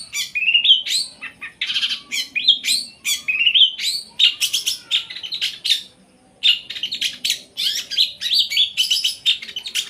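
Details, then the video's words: Long-tailed shrike in song, a captive bird: dense chattering with rising whistles and harsh scratchy bursts, a brief pause near the sixth second, then the busy medley resumes. "Kumpulan video cendet gacor full tembakan"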